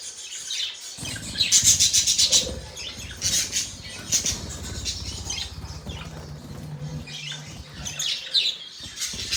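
Budgerigars chatter in bright, scratchy chirps and warbles, coming in rapid bursts with short pauses, alongside the flutter of wings and low background rumble.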